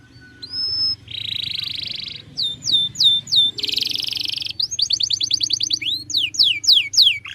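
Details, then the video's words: Canary song used as a master recording for training birds: a long whistled note, buzzy sustained rolls, then rapid trills of repeated downslurred notes at high pitch, changing from one tour to the next. "MASTERAN KENARI SANGAT BAGUS UNTUK BURUNG ANDA."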